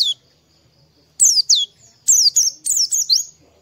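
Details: Oriental white-eye singing during the morning to stimulate singing in other birds; after one opening chirp and a quiet gap, piercing descending tweets tumble out in quick, uneven groups.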